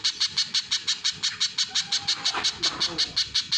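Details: Little spiderhunter calling with a fast run of sharp, high notes, close to three per second, kept up without a break, over a faint low murmur.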